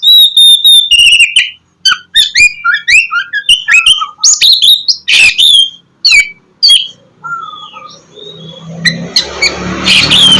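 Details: Oriental magpie-robin song for luring lazy birds to sing in the morning; rapid whistled and chattering notes repeated in varied phrases, then softer whistles as a noisy rustle grows at the end.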